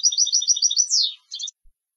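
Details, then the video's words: European goldfinch of competition stock delivering a rapid rolling trill of bright high notes that ends in a sliding descending slur and a brief twittered tail. "Jilgueros de Concurso - Canto del Jilguero"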